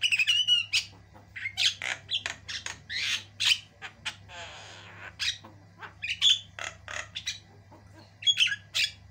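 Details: A white-eyed Javan myna in full song, recorded as tutor song for training other birds: harsh, scratchy squawks and rasping bursts, broken by a few short piercing whistles, over a low steady hum.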